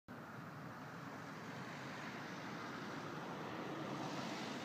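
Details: Constant roar of road traffic and wind, with no animal voice.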